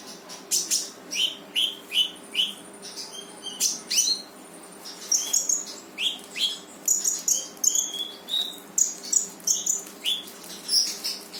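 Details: Brown-throated sunbird (konin) at full 'gacor' song with 'tembakan' bursts, played to get a lazy bird singing: a long, steady stream of sharp high chirps and short downslurred whistles, several per second, with one sustained thin tone early on.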